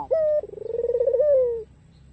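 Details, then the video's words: A single coo from a vocal white ringneck dove with a black collar, given to draw rivals into calling: a short steady note, then a fluttering tremolo, ending in a smooth, slowly falling tone. "SUARA MERDU PUTER PUTIH KALUNG HITAM GACOR || MENGUNDANG LAWAN AGAR BUNYI"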